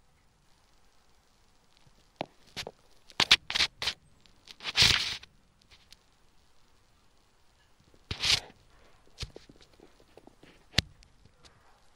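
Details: Scattered dry rustles, taps and brief tearing sounds over quiet background hiss, with no animal voice.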